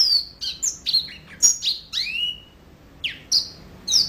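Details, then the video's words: Yellow-fronted canary singing in full, lively song: a rapid series of high whistled notes and short sweeping slurs, some steady, some dropping, in separate bursts with brief pauses. "Mozambik Gacor Full"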